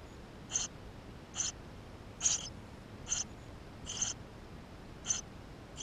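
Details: Nestling Eurasian tree sparrows inside a nest, GoPro recording; seven short, piercing high squeaks in under six seconds, fairly evenly spaced, against soft background noise.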